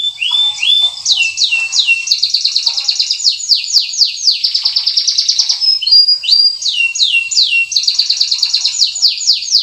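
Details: White-rumped shama, from a training recording of a champion and a young spotted-plumage bird: a varied, lively song of loud sweeping whistles that slide up and down, mixed with fast rattling trills and short chattering notes throughout.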